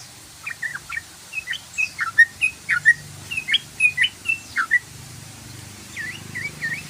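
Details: Yellow-vented bulbul in rapid chattering song: a quick series of short, bright whistled notes about twice a second, some dipping and rising, ending with three looping slurred notes.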